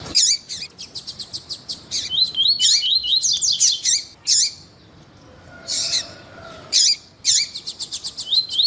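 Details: Double-collared seedeater (coleiro tuí-tuí) male singing with a calling female, a recording used to stimulate males. Rapid high chattering notes and trilled phrases come in bursts separated by short pauses, ending in a fast run of repeated chips.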